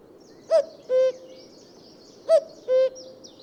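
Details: Two clear cu-coo calls of a common cuckoo, each a quick higher note then a drawn-out lower tone, with faint high bird chatter in the background.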